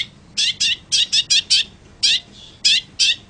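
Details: Long-tailed shrike, with singing intended for tutoring other birds: loud, harsh, scratchy notes delivered in an uneven series of about nine, some paired closely, others spaced around half a second apart.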